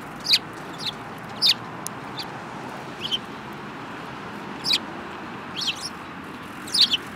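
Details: Sparrows including a yellow-beaked bird, 24 February 2018. Sharp chirps, single or doubled, recur irregularly about once a second amid steady background hiss.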